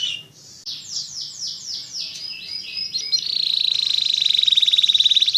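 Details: Atlantic canary singing 'gacor' style: several slow sweeping slurred whistles followed by a long, quickening high trill on a steady pitch, faint background hum.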